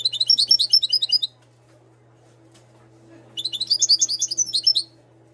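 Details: European goldfinch of Moroccan stock, bred in 2022, gives two quick phrases of rapid, bright, liquid twittering about two seconds apart, with a faint constant low hum beneath.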